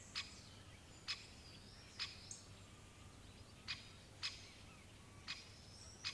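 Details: Series of hard, clipped 'kik' notes from a great spotted woodpecker at irregular intervals, roughly eight calls, while other birds whistle faintly in the distance.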